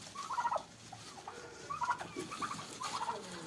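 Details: Turkeys fighting on a farm: three short rattling gobble bursts, each about half a second, with gaps of roughly a second between them, over faint background hiss.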